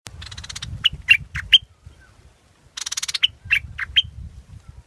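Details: Scarlet-backed flowerpecker singing: short, sharp, high ticking notes in two quick groups of about four, over a soft low hum and a buzzing insect-like background.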